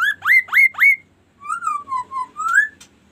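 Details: Kaso kaso bird singing a varied song: three quick rising whistled notes, each sweeping up sharply, then a series of softer level and gently falling whistles ending in a rising note.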